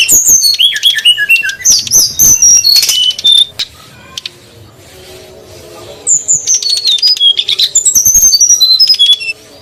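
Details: Female and male brown-chested jungle flycatchers used to lure wild birds, bursts of high chirping and whistled slurs, a quiet stretch of about two and a half seconds, then another lively burst of twittering notes.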